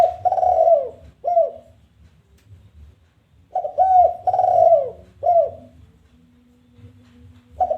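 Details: Spotted dove challenge call used to lure other doves: the end of one coo phrase, a pause of about two seconds, then a complete three-note phrase of husky coos with a falling last note, and a faint steady tone afterwards.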